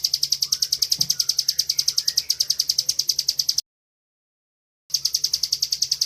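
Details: Bar-winged prinia kept in a cage, singing nonstop in 'gacor ngebren' style for training other birds: fast, evenly spaced high chipping notes, roughly three per second, broken by a short pause before resuming.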